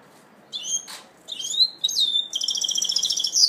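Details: Goldfinch mule in its first moult, 2012, sings bright, high twittering phrases that run into a fast, rattling trill, with one soft click in the background.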